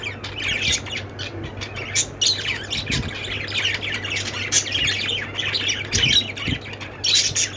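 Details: Parakeet chatter from many budgerigars: continuous high, buzzy twitters and short squawks, with a loud cluster at the end and a steady low hum.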